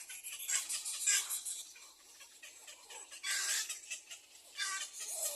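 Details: Little egret chicks calling for their mother to feed them at the nest, rough grating cackles rising in two louder bouts separated by quieter chatter.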